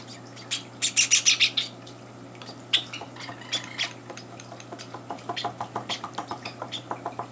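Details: Java sparrow chicks beg at morning feeding time indoors while two older birds crash the meal. A loud cluster of high chirps opens, then quieter, rapid chirps repeat steadily to the end over a low hum.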